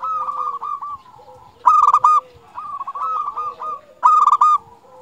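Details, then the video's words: A local zebra dove sings to set off other doves: continuous rolling, burry coo phrases interrupted twice by loud staccato trilled bursts about 2.4 seconds apart. "Perkutut Lokal Gacor Paling Ampuh Untuk Pancingan Burung Perkutut Agar Bunyi"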